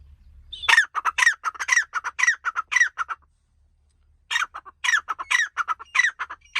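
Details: Francolin giving its long call in forest: a run of loud, harsh, grating notes repeated about twice a second, pausing near the middle before the series resumes, with little else audible.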